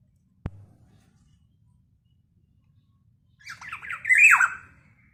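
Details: Actively calling Black-naped oriole, whose voice is said to agitate other orioles. A sharp click comes first, then a long quiet gap, then a harsh, rasping, wavering squawk lasting about a second near the end.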